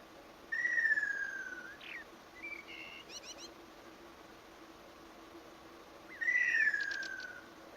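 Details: Kingfisher in the wild gives a long, falling whistle that slides downward over about a second, followed by short buzzy notes, then repeats the falling whistle near the end over steady background hiss.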